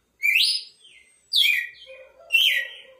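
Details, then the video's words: Three whistled phrases from a red-cowled cardinal, the first rising, the others falling, with quiet trailing notes and a soft low drawn-out tone after the last. "Galo de campina expectativa na cantoria"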